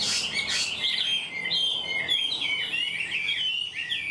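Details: A Chinese hwamei with a pale (mộc) bill sings a rich, continuous run of loud slurred whistles and warbles, phrases sweeping up and down between high and very high pitches, as polished as a tamed bird.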